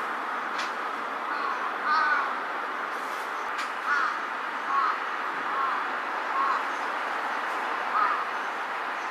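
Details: A large-billed crow calling from a building rooftop gives about six short, hoarse caws, spaced one to two seconds apart, over a steady hum of city traffic.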